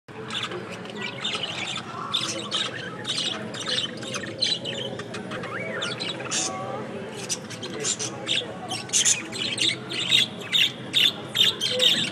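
Budgerigars chatter with a steady stream of squeaky chirps, warbles and short scratchy squawks.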